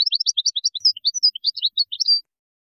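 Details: Moroccan goldfinch performing the widani song composition, 2019: quick liquid twittering with buzzy chirps and a few whistled slurs, delivered in one steady, lively phrase, then quiet.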